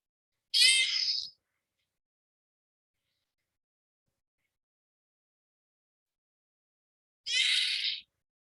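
A long-eared owl gives two harsh, high, screechy calls, each under a second and about seven seconds apart, with silence in between.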